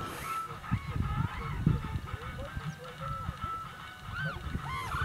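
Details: Sarus Cranes giving clarion calls at Dhanauri Wetlands, Greater Noida, India, near a Great Bittern; a run of arched, honking trumpet-like notes, partly masked by loud music from a tractor working a nearby field and low engine rumble.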